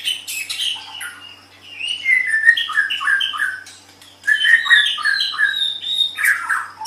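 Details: White-rumped shama song recorded as a tutor for training other songbirds: dense, varied chattering phrases of warbled and slurred notes, a soft lull near the middle, then another rich burst.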